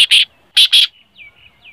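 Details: Black francolin giving two pairs of loud, rasping, scratchy notes, then thin downslurred whistles from another bird in a quiet background.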